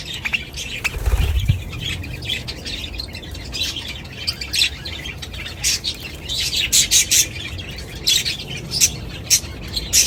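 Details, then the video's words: Many budgerigars calling at once in a noisy chorus, dense warbling chatter with sharper chirps bursting out toward the end, a brief low thump near the start. "เสียงนกหงษ์หยก นกหงษ์หยก ร้องชัดเสียงดังระงม ประสานเสียง"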